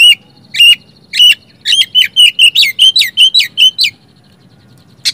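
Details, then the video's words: Oriental magpie-robin singing to coax quiet birds into song: loud, clear whistled notes and rapid chirpy phrases in a steady burst lasting about four seconds, then a single sharp note. "Kacer macet malas bunyi langsung nyaut bongkar isian dengan suara kacer satu ini"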